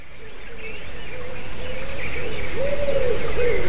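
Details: White-tailed eagle recorded on 28 March 2019 at 06:26; a series of yelping notes that grows stronger toward the end, over steady broad background noise.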